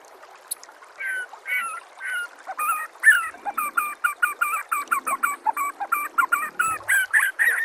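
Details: White-rumped shama song meant to make other shamas respond: a few slow sweeping phrases, then a steady run of crisp repeated notes.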